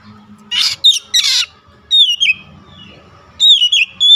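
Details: Oriental magpie-robin sound used as a lure to set off a rival singing: harsh rasping squawks alternate with clear whistled notes that slide downward, in short loud bursts with brief pauses between.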